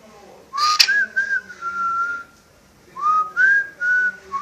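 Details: Pet parrot indoors, said to wolf whistle and whistle the marching song from Bridge on the River Kwai, gives two phrases of clear whistled notes, each rising sharply then held level, with a brief sharp click early on.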